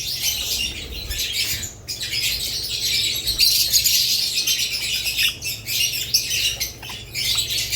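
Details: A flock of budgerigars keeps up steady, scratchy high chirping and twittering, with one short break early on, over a faint mains hum.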